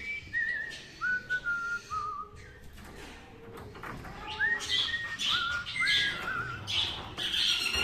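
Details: Pet cockatiel whistling the Happy Birthday tune: clear whistled notes stepping down in pitch, then sliding, rising and falling phrases with sharp high chirps near the end, over a noisy indoor background.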